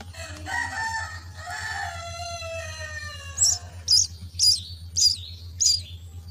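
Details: Myna chicks beg at the nest as they are fed: a drawn-out harmonic whining note at first, then five short, harsh high rasping bursts in quick succession over a low hum.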